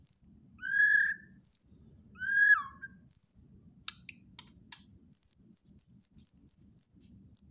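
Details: White-rumped shama singing: clear whistled phrases, some high and sustained, others lower and downslurred, broken by sharp clicks, then a fast run of high repeated notes.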